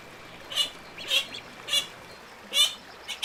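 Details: High, thin peeping from little ducks: four or five separate squeaky notes about half a second apart, each brief and slightly rising, against quiet hiss.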